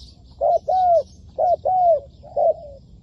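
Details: Spotted dove kept as a decoy for trapping, giving low hollow coos: a short note and then a longer drawn-out coo, repeated in pairs, with faint higher chirps behind.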